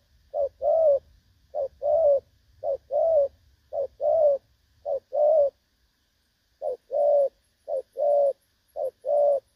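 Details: Spotted dove call used as a trapping decoy: low cooing in pairs, a short note then a fuller coo, repeated roughly each second, with a low rumble early on and a gap of silence midway before the coos resume.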